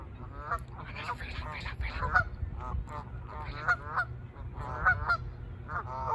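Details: Canada geese in a noisy exchange before and during takeoff, many overlapping harsh honks in rapid bursts through the whole stretch, with low rumbling underneath.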